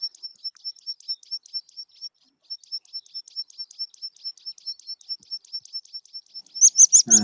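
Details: Meadow pipit call: a long series of thin, high 'sip' notes, about three per second, ending with a brief burst of a person's voice.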